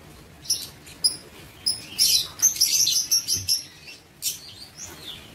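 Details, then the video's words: Aviary lovebirds, 19 September 2023, chirping quickly: thin, high squeaky notes about three per second, running together into a busy chatter in the middle before tailing off into a few single chirps. "Aviary Lovebird"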